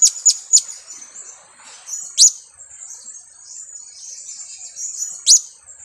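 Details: Shrill, sharp high chips from a two-week-old blue-crowned hanging parrot used for luring: three quick notes in a burst, then single notes about three seconds apart, over faint continuous high twittering.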